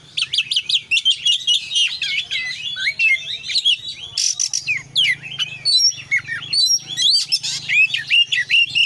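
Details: Oriental magpie-robin singing in an active 'konslet' style packed with varied fillers: rapid, loud whistled and chattering phrases, sweeping notes and buzzy bursts tumbling together without pause, over a faint low hum.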